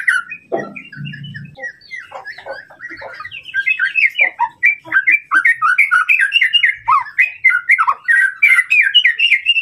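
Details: Rival-provoking song of the white-rumped shama (murai batu): scattered notes and a brief low rumble at first, then a fast, dense torrent of varied whistles and trills building in intensity.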